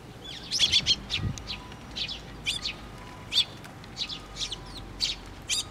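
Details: Several sparrows gather at a feeder on a post at a Tenmangu shrine, 24 June 2023, chirping busily: bright, high chirps tumble almost nonstop, roughly two or three per second, with a low thump early on.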